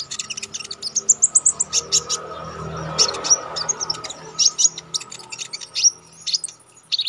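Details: Konin bird in full constant song, wild-style with sharp shooting notes, meant for song-training contest birds: dense run of very high chirps and piercing whistled strokes, quick repeated bursts with brief gaps, faint steady hum behind.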